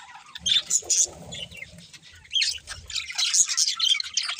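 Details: Budgies give scattered sharp high chirps and squeaks, a quieter gap mid-way, then a livelier run of twittering notes toward the end; faint low rumble in places.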